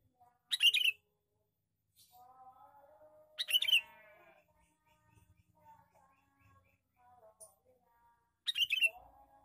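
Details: Male sooty-headed bulbul giving its lure call: three rough, buzzy chatter bursts a few seconds apart, between softer whistled notes from other birds.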